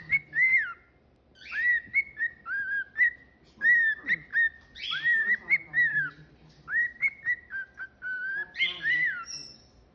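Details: Whistled tune from a pet cockatiel in a small room: a run of clear, mostly level whistles with quick upward flicks and dips, grouped into lively phrases with short gaps, some faint harsher chatter at the end.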